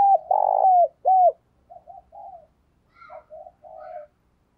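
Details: Spotted dove kept as a lure to attract wild birds: a long throaty coo and a short hooting note at the start, followed by soft murmuring coos and faint higher chirps.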